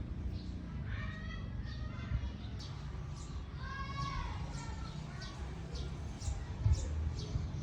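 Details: A pet cockatiel gives harmonic, whistled calls that rise and fall, with quick high chirps over a low background rumble.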